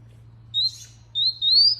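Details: Two clear, rising whistled notes from a canary, the second drawn out longer, over a steady low electrical hum.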